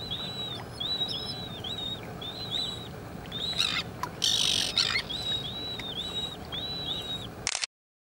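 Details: Adult and chick slender-billed gulls: a run of thin, high, down-curving whistled notes, often in pairs, repeated steadily for about seven seconds, broken midway by a short burst of broadband noise before the recording cuts to silence.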